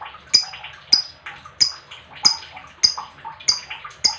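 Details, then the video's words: Lovebird chirping meant to stir other lovebirds: sharp high chirps repeated roughly every 0.6 seconds, with softer twittering between them. "Lovebird Chirping Sounds"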